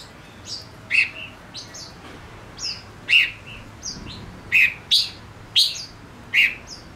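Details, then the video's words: A male Gouldian finch used as a lure bird to stimulate others to sing gives short, high, squeaky chirps and buzzy notes, loosely spaced about once a second, against faint indoor hiss. "Chim ngũ sắc mồi hót cực hay"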